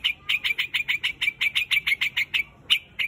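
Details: Flock-calling white-headed grey quạch bird gives a fast, steady string of sharp, bright chirps, about a dozen in close succession, then two more after a short break, with little else audible.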